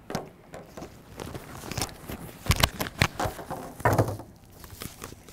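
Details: Irregular thuds, footsteps and crackling handling noise come from close by, with no animal calls.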